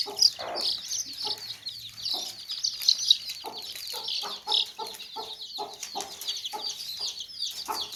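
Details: Many baby chicks kept in a basket, giving a dense chorus of high, thin peeping chirps, with occasional low soft clucks from hens underneath.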